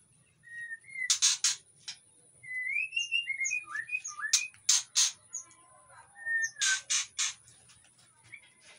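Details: A white-rumped shama in breeding condition, kept in an aviary in Indonesia and used to provoke other shamas to answer. It sings varied clear whistled phrases, some rising and slurred, with loud harsh chattering bursts every second or two.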